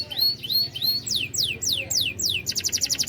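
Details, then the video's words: Canary singing in the "cadas" style: short flat whistles, then a series of steep downward-sweeping notes, closing with a fast rattling trill of repeated high notes. "kenari gacor suara cadas"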